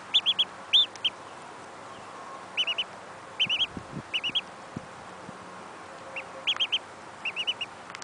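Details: A lone, abandoned female mallard duckling, found shivering and weak near ponds and cared for at home, peeps in high, thin bursts of three or four notes, with pauses between.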